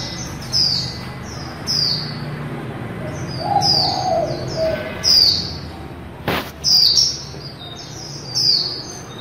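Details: Líu-style song of a female white-eye: rapid high descending whistles repeated in short bursts, about one every second or two, with a softer lower warble and a sharp click near the end.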